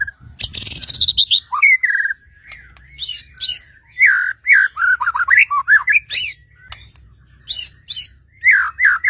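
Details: White-rumped shama song to provoke other shamas into singing: a harsh buzzy burst, then a long mixed string of whistled downslurs, upsweeps and sharp high chips, varied and continuous.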